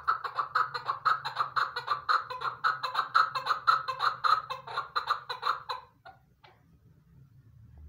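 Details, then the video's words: A hunter's female chukar partridge calls in a rhythmic run of hoarse, chuckling notes, roughly two each second for six seconds, then stops abruptly, leaving a few faint notes and a low background hum. "my bast hunter chakor voice keklik sesi shikari awaz"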